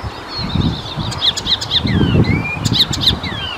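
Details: Icterine warbler song recorded in the Czech Republic, with repeated sharp high chips, sliding whistles and short buzzy bursts over steady low-pitched background rumble.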